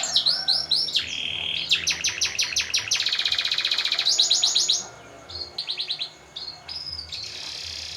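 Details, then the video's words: Canary song with long rolls, meant to prompt other birds to sing and to train them for contests: rising notes lead into rapid rolling trills, then a pause and short bursts of chattering phrases. "Suara Burung Kenari - Cocok untuk Pancingan dan Lomba!"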